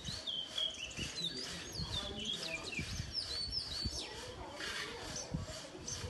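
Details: House sparrows visiting a garden with a feeder and birdbath, chirping constantly. Short, high chirps overlap in a busy chorus with low rumbling and knocking noises underneath.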